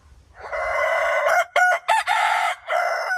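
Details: Rooster giving a melodious crow: one long, loud, harmonic cock-a-doodle-doo lasting nearly three seconds, broken into several segments with brief dips before a sustained drawn-out ending.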